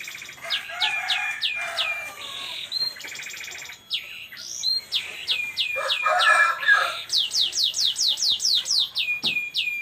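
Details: Canary delivering 'cengkok unik' style song: series of sharp descending whistled sweeps repeated about twice per second, broken by rapid buzzy rolling trills, ending in a fast run of falling notes.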